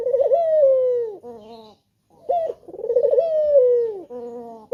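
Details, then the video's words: Lure calling by a male spotted dove: twice, a short rising note leads into a long, warbled coo that glides down. A softer trailing note follows each, with a brief gap between the two phrases. "Puter Jantan Yang Gacor Suara Pancingan nya Sanggat Menggoda"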